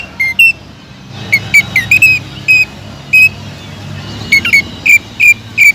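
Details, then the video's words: Greater green leafbird (cucak ijo) in full song, used to spur other leafbirds into singing: sharp whistled notes with clicky attacks, delivered in spaced bursts, with a quiet low hum behind. "BEARAPI API...!!!TEMBAKAN PEDAS CUCAK IJO GACOR BUAT MANCING CUCAK IJO LAIN AGAR JAMTROK"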